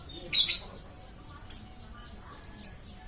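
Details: Lovebird chirping nonstop: three shrill, harsh bursts, the first a doubled chirp, then two single sharp chirps about a second apart over quiet background hiss.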